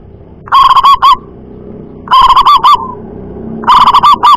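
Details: Local wild-type zebra dove giving loud 'double kuk' cooing calls: three bursts of rapid, trilled, throaty notes, each under a second, spaced about one and a half seconds apart against a faint background hum.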